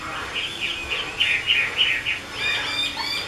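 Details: 'Mơ' Chinese hwamei belonging to a bird keeper gives short, bright whistled notes repeated quickly in an even series, followed by a few thinner, higher notes.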